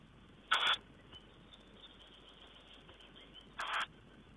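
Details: Harsh, breathy bursts from a tawny owl, 4 June 2010: one short rasp, then a softer one about three seconds later, with faint high chirps between them and steady hiss behind.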